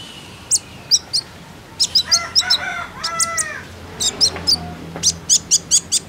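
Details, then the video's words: Common iora lure recording to encourage birds to sing: sharp high chips in loose runs, broken midway by a burst of nasal, harmonic notes. A fast even series of chips comes at the end. "KONIN IJOAN ANDA PASTI IKUTAN BUNYI, PANCINGAN TERCEPAT JADIKAN KONIN BAHAN RAJIN BUNYI"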